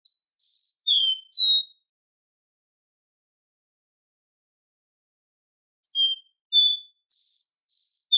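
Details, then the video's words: Captive-bred copper seedeater singing: a phrase of four clear, pure whistled notes at high pitch, alternating slightly higher and lower, then a long silence before a second phrase of five similar whistles; no other sounds. "Canto do coboco lino ( Sporophila Bouvreuil )"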